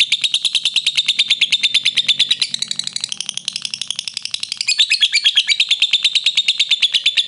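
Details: Lovebird in a clear, long ngekek trilling song recorded as a master for training birds: a rapid, unbroken stream of sharp, high chattering notes, about ten per second, that softens midway and then swells again.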